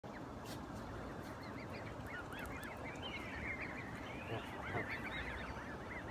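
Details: Canada geese with goslings. Many soft, thin, arched peeping notes rise and fall rapidly and overlap, over a steady low rumbling background.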